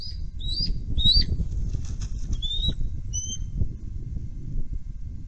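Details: Three bald eagles at a nest during what seemed an emergency visit with no threat seen, picked up by a nest webcam: thin, high chirping notes in short bursts, several in the first seconds, over steady rumbling wind or wing noise.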